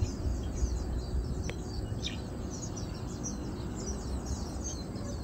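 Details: Chestnut munias feeding, recorded 7 August 2022, produce a busy stream of small high chirps and a few downward-sweeping notes, roughly four per second, with a loud low background drone.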